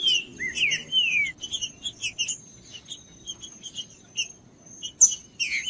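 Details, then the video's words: Green-winged saltator song for warming up a cold, quiet bird: three rich downward-gliding whistles open the clip, followed by scattered high chirps and a thin steady tone. "TRINCA-FERRO CANTANDO/ESQUENTAR TRINCA FERRO FRIO"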